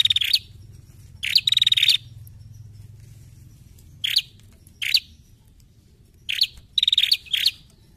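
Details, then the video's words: Female bar-winged prinia lure call for untamed birds: scattered bursts of sharp, high chirps and a rapid ticking trill, separated by long silent gaps of a second or two; faint low hum underneath. "PRENJAK BETINA! PANCINGAN BUNYI PRENJAK BAHAN"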